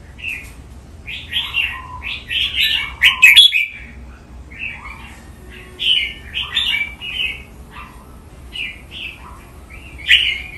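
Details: Caged red-whiskered bulbul performing a long Thai-style training song with 'lak wai' drawn-out phrasing: a continuous string of cheerful warbled whistles, dipping low notes mixed in, one harsh burst early, phrases coming every second or so.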